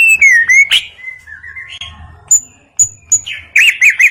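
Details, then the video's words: Forest white-rumped shama singing pure whistled notes, some sliding up and others held, with short high notes in between and a quick warbled ending. "Terapi Murai Batu Hutan"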